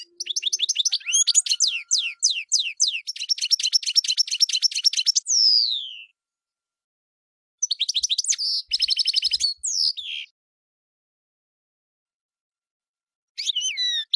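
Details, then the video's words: European goldfinch in extended song: rapid tinkling chirps and buzzy trills for five seconds ending in a falling whistle, then two more twittering bursts after pauses. "The Goldfinch , chant de Chardonneret"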